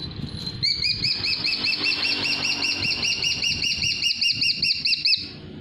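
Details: Golden eagle calling: a rapid series of high, thin whistled chips, each note rising and falling, run together into a long chattering trill that stops abruptly, with faint low rumbling behind.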